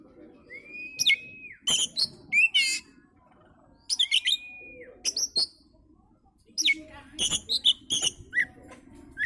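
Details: Oriental magpie-robin song meant as a lure for other birds: long level whistles near two kilohertz mixed with bursts of sharp chattering notes, in groups separated by short pauses.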